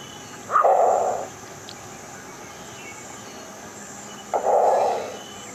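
Green heron giving two harsh, hoarse squawks, each under a second long, spaced about four seconds apart over a quiet, faintly hissing background.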